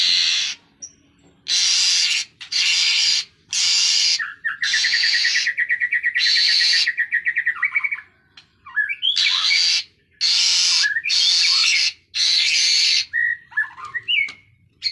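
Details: Asian pied starling song in a training recording: loud, harsh, broadband bursts alternating with a rapid rattling trill and scattered whistled notes, delivered in dense phrases with brief gaps.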